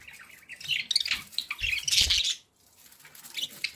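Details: Budgerigars kept as pets give a loud rush of warbling chirps and squawks, peaking then falling silent briefly before softer chatter resumes.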